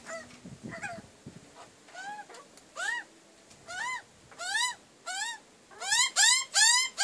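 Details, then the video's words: A magpie family at a backyard wood heap at breakfast time makes a series of arched, nasal, squawking calls. The calls come roughly every half second and grow louder and faster toward the end. "My Backyard Magpies"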